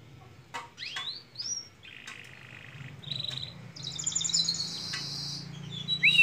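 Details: Canary from a long masteran recording for training songbirds, varied phrases of short arched whistles and flat buzzy notes with faint clicks, ending on a sharp rising note.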